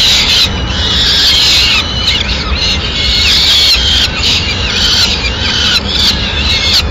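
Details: At a peregrine falcon nest in Madrid on 6 May 2016 the female brings a pigeon. A continuous stream of harsh screeches is mixed with short chattering, chirping notes, over a low rumble.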